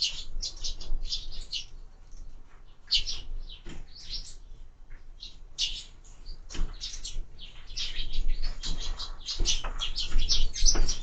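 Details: Sparrows feeding at feeders mounted on a window, giving a dense run of short high chirps and tweets in irregular bursts throughout, with faint low rumble underneath.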